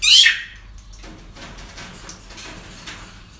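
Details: At a breeding centre on an ordinary day, a parrot gives one loud, harsh, downward-sweeping screech at the start, then only faint distant chatter and room noise.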